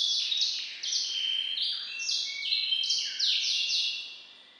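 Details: Song of a hybrid bred from a White-rumped Seedeater (grey singer, Serinus leucopygius), variant IV: a continuous high finch-like song of rapid trills, buzzy notes and sweeping whistles without pause, fading at the end.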